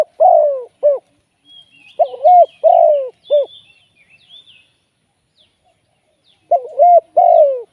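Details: Spotted dove used as a live decoy for trapping, cooing in three-part phrases: a short coo, a longer falling croo, then a clipped final note. Phrases are repeated with gaps, and thin high whistles from other birds sound in the background.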